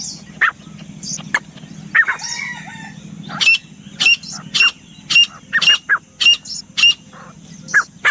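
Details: Grey francolin (teetar) gives loud, sharp, ringing notes, repeated about twice a second in an accelerating series, over a steady low hum.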